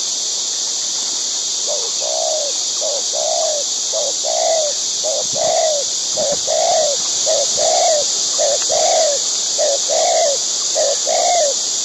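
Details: Wild white-breasted waterhen, a bird living in pairs, while feeding its chicks: a long series of short, low, downslurred croaking notes, often in pairs, about one per second, over a steady high hiss.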